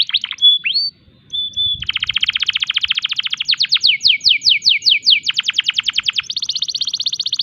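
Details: Breeding-condition canary singing actively, using unique 'tembakan' phrases that should set other canaries answering; a few short notes, a steady whistle, then rapid trills alternating with slower sliding notes.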